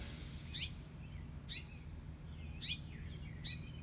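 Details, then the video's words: A male house finch with reddish breast and throat gives alarm calls near its nest on a front-porch column in the morning: four sharp, high chirps, roughly one per second, over a steady low background rumble. "Male House Finch’s Alarming Calls For The Nearby Nest!"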